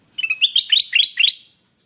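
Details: Captive golden bulbul (kutilang emas), kept as an eager singer for tutoring new birds, gives one loud, quick phrase of about seven bright, slurred warbling notes, stepping up and down, in a quiet room.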